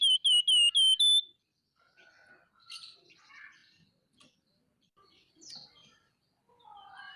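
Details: Scaly-breasted munia (flamboyan) in a lively, chattering mood: five clear, slightly falling whistled notes in quick succession, followed by quieter scattered chips and soft twittering.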